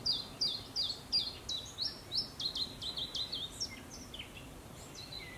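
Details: Possible Iberian chiffchaff singing, ZH, 04/05/22: a rapid series of high, sharply downslurred notes, roughly three per second, with a few lower, varied notes toward the end over a soft steady hiss.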